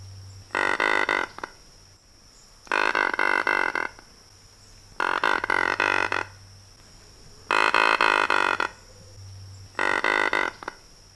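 An Anhinga gives five harsh, rattling croaks, each about a second long and spaced two to three seconds apart, over a steady high insect-like whine.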